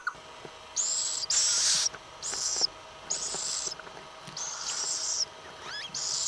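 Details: Little owl from an owl family giving harsh, hissing, high-pitched rasps, each about half a second long and repeated roughly every second; a few faint chirps in the background.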